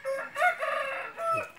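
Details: Crowing from a red junglefowl used as a hunting decoy, a sustained harmonic call with several rises and falls, over faint background chatter.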